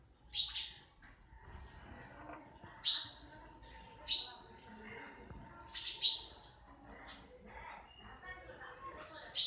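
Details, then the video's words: Sparrow calls in a natural setting, a series of sharp, high-pitched chirps spaced irregularly a second or two apart, some doubled, with faint softer twitters between them and a steady background hiss. "Natural sound of Sparrows."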